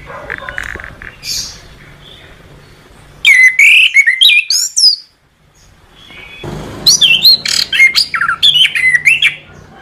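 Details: Orange-headed thrush master song: two bursts of loud, rich warbling with quick whistled slurs, rising and falling notes and harsh chips, separated by a two-second pause; faint background hum between bursts.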